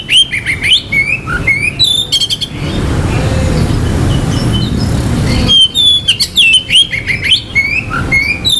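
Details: Song of an Oriental magpie-robin used to excite other magpie-robins' aggression and breeding drive: rich rapid whistles and buzzy trills, then several seconds of low background rumble with a few faint notes, then the loud varied whistling resumes.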